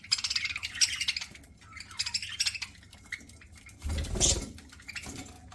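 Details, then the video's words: Eating pet parakeet gives rapid chirps and warbled chatter in a dense run at the start, then quieter twitters broken by a loud rustling thump with a sharp squeak. "PARAKEET EATING SOUNDS"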